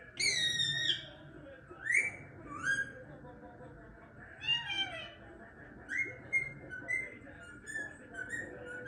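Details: A pet Indian ringneck (rose-ringed) parakeet talks in short, high, raspy phrases with whistled rising and falling notes, about one burst a second, with faint room noise.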